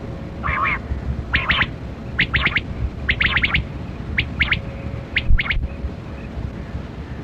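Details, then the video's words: Kali kirak quail (batera) heard during a hunt, uttering groups of two to four rasping chirps about once a second, fading toward the end, with a faint hum and low rumble. "Sound Of Kali Kirak Quail Batera"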